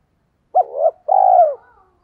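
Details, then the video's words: Lure call of a spotted dove for drawing in wild doves: one clean phrase, a brief sharp coo sliding upward, then a long, even coo tapering downward, in quiet surroundings. "tiếng chim cu gáy kích bổi nhanh nổi hiệu quả"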